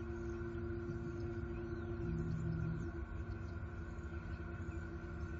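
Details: Steady low hum and tonal machine drone with no animal sound.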